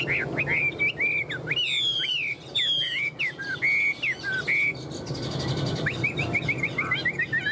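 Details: Tame Chinese hwamei kept in a cage in Vietnam gives rich looping whistled notes and buzzy trills. It ends in a quick run of identical upslurred whistles, about five per second. Soft background murmur throughout.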